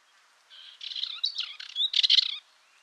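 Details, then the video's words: Dartford warbler song: a short, scratchy, chattering phrase of dry buzzy notes mixed with brief whistles, lasting about two seconds and rising to a louder, more strident burst near its end, with a quiet background. "Curruca rabilarga (Curruca undata) Canto"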